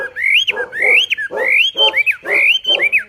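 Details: Javan pied starling, 'tembakan' tutor song. Loud rising whistles sweep upward and end in a quick downturn, alternating with rough lower notes, about two phrases per second.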